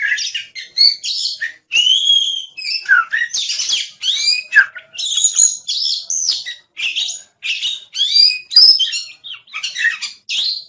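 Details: Oriental magpie-robin (kacer) delivering a continuous rich song of varied whistles, squeaks and buzzy chatters in short bursts separated by brief pauses, loud and clear in a quiet setting.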